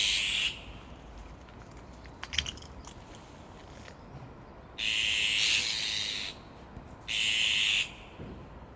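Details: Azure-winged Magpie calls while a fledgling that left the nest after about a month sits alone, unable to fly well; the parents call from above to protect it. Three harsh, raspy, buzzing bursts, each about one to one and a half seconds long.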